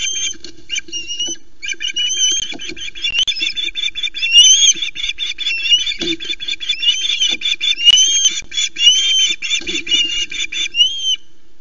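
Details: Osprey at the Loch Arkaig nest, Scotland, gives a steady stream of high, whistled, upslurred cheeps, several each second, over a low hum with thumps and flaps as female Mallie grabs the very late first fish and flaps male Louis away.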